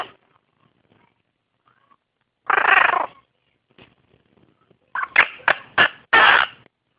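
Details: Pet blue-crowned conure as a baby, practicing talking: one harsh scratchy squawk, a quiet gap, then a rapid run of four or five rasping noisy bursts.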